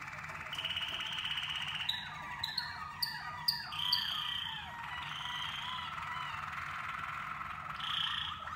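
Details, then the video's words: Waterslager canaries in song training: a held whistle, then sharp high chips and quick gurgling slurred phrases, followed by softer sustained tones and a closing rolled burst. "Modifying variables for the waterslager canaries on their song training."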